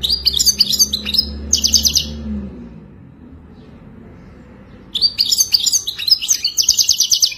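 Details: Mating song of a European goldfinch for training a caged goldfinch: a quick phrase of high twitters and buzzy trills lasting two seconds, a silent gap of nearly three seconds, then another rapid jingling burst.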